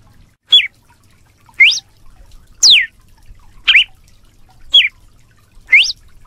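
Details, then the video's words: A red-cowled cardinal sings its "açoite" song type persistently: loud, clear whistled notes slurring up and down, about one a second, in a steady run of six; the background is quiet. "GALO DE CAMPINA CANTO, CANTO DE AÇOITE, CANTANDO MUITO"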